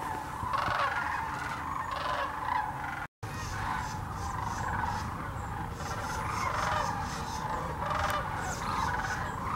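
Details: Thousands of sandhill cranes gathered during migration at the Hiwassee refuge in Birchwood, Tennessee: an unbroken din of overlapping rattling calls, interrupted once by a brief dropout in the recording.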